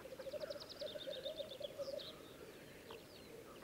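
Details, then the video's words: Black grouse lekking in Läänemaa, Estonia, on 19 April 2011 give pulsed low bubbling notes for two seconds, while a high twittering songbird sings over them, followed by quieter scattered calls. "Tedremäng, 19. aprill 2011"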